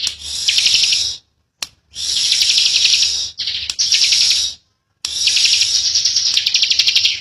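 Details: Bar-winged prinia youngster with a long, tight 'ngebren' song: repeated high buzzy trills of one to two seconds, with short silent gaps and a final extended buzz.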